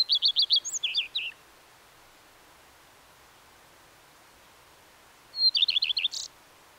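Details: Common redstart singing two short phrases about four seconds apart, each opening with a high thin note followed by a rapid series of repeated buzzy, bouncing notes and a brief twittering end, over quiet background.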